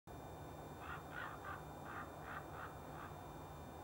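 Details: A group of Common ravens feeding on wild boar and red deer carcasses in a frosty heath field give a quick run of about eight short, hoarse, mid-pitched calls over a steady low rumble.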